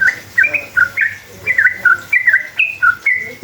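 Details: Sooty-headed bulbul (trucukan) in a long, lively rolling song used as a lure to provoke other bulbuls into answering; rapid bubbly whistled phrases around mid pitch, each note slurred up or down, repeated in quick bursts, with a low hum beneath.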